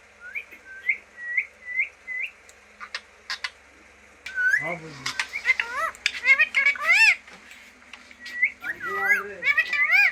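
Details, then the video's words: Green parrot, a talking pet bird: a run of short rising whistled notes, then a busy stretch of squawks, speech-like chatter and looping whistles, with several sharp clicks throughout. "talking parrot"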